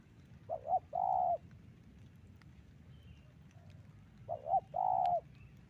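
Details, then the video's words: Spotted dove calling as a lure for trapping, two identical phrases nearly four seconds apart, each a brisk double coo leading into a sustained level coo, with a faint distant chirp between. "pancingan burung tekukur"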